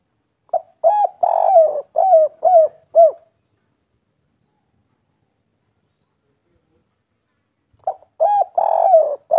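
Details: Spotted dove song in the kuk 3 style: a run of five or six soft mellow coos, then a long silence of about four seconds, and a new series of coos starting near the end; no other sounds.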